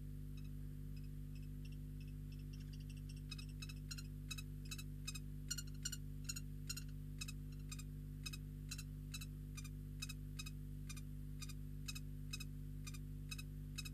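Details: Common kestrels (Falco tinnunculus) copulating on a perch outside a nest box, recorded by the inner nest-box camera at Riet Vell, Ebro Delta: a fast run of harsh, sharp notes speeding up then holding at about three per second, over constant low hum.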